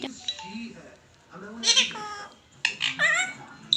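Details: Pet ringneck parrot talking indoors: two bursts of harsh, raspy, speech-like syllables with sliding harmonics, about a second apart, separated by quiet gaps.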